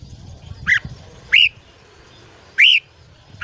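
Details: Red-whiskered bulbul singing in the morning, a voice-training recording: sparse, separate whistled notes, each sharply arched up and then down, spaced more than a second apart, with faint low background hum.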